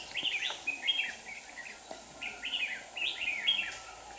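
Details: Red-whiskered bulbul used as a lure at a two-bait trap in Hòa Bình, Vietnam, delivers lively repeated warbling phrases of clear chirped and slurred notes, several bursts in quick succession, with a faint steady hum behind.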